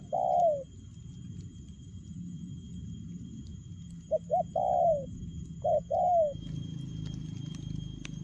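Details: Spotted dove cooing in a quick, fast 'lèo gù' style: a low mellow coo at the start, then two short notes followed by a longer slurred, falling coo, repeated twice, over a steady low rumble.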